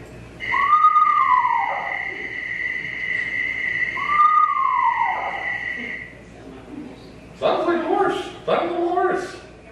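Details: A red-phase Eastern Screech-Owl gives two high, falling whistled whinnies, its territorial call, about three seconds apart over a steady electronic tone, followed by audience applause and voices.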